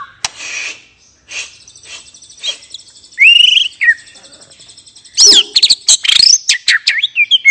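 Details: White-rumped shama, kept bird, in a relaxed 'ngeplong' style song meant to prompt other birds to sing: varied chirps and buzzy notes, then loud sweeping whistles and rapid sharp notes.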